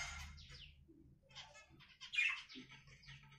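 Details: Budgerigar warbling in soft chirps and short scratchy phrases, some rising and falling, with one louder chirpy burst near the end and a faint low background hum.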